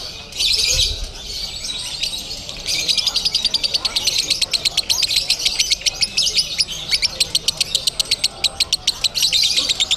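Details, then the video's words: Lovebird singing konslet style at a singing contest in Bandung: fast, dry, high chattering notes, then from about the third second a long unbroken rapid trill of clicking pulses, with crowd murmur underneath. "LOVEBIRD KONSLET"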